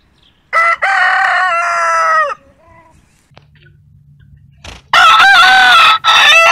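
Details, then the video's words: Two loud rooster crows: the first is a harsh, steady, full-bodied call of nearly two seconds that ends with a quick downturn. After a quiet stretch with faint hum, the second crow bursts in just as strongly. "ROOSTER CROWING VIDEOS 🐓 ROOSTER SOUND"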